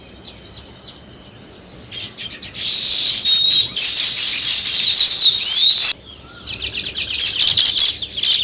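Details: Sparrows, possibly weaver birds building a nest, in India: many small birds chirp at once, quick high chips building into a dense, sizzling chatter that breaks off suddenly, then scattered sharp chirps return.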